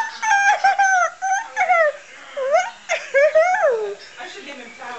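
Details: A pet cockatoo gives a string of wailing, speech-like squawks that slide up and down in short bursts, reacting after seeing its carrier and realising it is going to the vet; indoors, with no other clear sounds.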